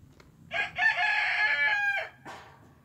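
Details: A rooster crows in the chicken pen of an old Doukhobor heritage farm in Nelson: one long, loud, harsh cock-a-doodle-doo lasting about a second and a half, ending in a brief falling tail, over low background noise.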